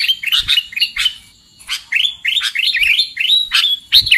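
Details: Sooty-headed bulbul lure for trapping: chirpy, slurred notes in short bursts, a brief quiet gap near the middle, then energetic rising phrases and a few low thuds.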